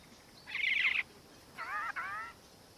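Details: Black-faced cuckoo-shrike of subspecies melanops, Victoria, Australia, December 2019: a harsh buzzy burst followed by two rolling, purring, harmonic churrs.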